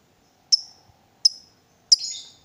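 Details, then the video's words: Lovebird kept in a cage, provoked to call, gives three sharp, high, clipped chirps about two-thirds of a second apart, the last one trailing into a brief rasp. "Lovebird diam langsung Nyambar, Emosi Naik Gacor Ngetik Lanjut Ngekek"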